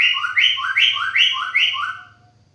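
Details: White-rumped shama song: a bright whistled two-note phrase, high then dropping lower, repeated about five times in quick rhythm before fading, over a faint low hum.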